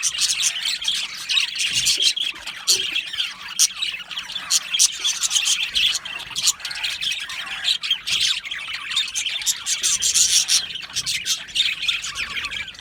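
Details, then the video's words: Budgerigar colony chatter from a lively aviary: continuous high, buzzy twittering and scattered squawks from many birds, unbroken for the whole stretch. "Happy Budgies Sounds | Budgies Chirping Sounds | happy Budgie sounds for lonely Budgie birds"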